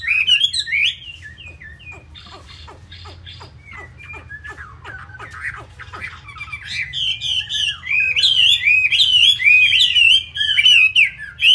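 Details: Loud fighting-type hwamei from Hanoi. Faint ticking clicks and occasional whistles lead into a vigorous, dense outpouring of warbled, swooping phrases that fills the latter half.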